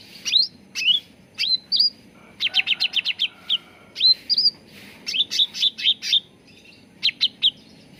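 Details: Lure and training recording of a cucak ranting bulbul: upslurred whistles alternating with quick rattled chirp series, lively and varied phrasing throughout.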